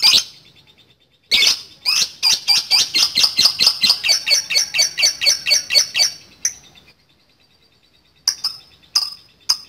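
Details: Lovebird in long chattering song, used to provoke rivals into answering: a rapid, even run of about twenty sharp high chips over five seconds, then a pause and a few scattered squeaky notes.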